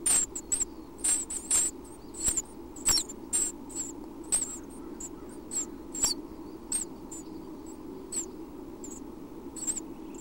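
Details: Early-morning feeding at a Chestnut-backed Chickadee nest box in Half Moon Bay, California: six week-old chicks give sharp, very high squeaks in short clustered bursts, some spaced about a second apart, against the Pacific Ocean's constant low rumble.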